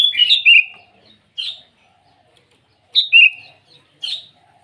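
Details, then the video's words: Sooty-headed bulbul singing in the morning to call rivals: short bubbly, warbled phrases, some falling, given in bursts roughly every one and a half seconds with quiet gaps between; no other sounds clearly heard. "Suara burung kutilang memanggil lawan di pagi hari"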